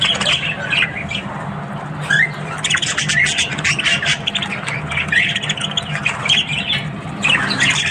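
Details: Budgies in the morning giving bursts of scratchy warbling and squawks, pausing and resuming, over a constant low droning hum.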